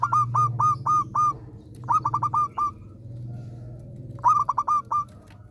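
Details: {'caption': 'Zebra dove of a local strain, singing busily: three runs of five or six rapid, clipped, hooked coos in quick succession, over a noticeable low rumble.'}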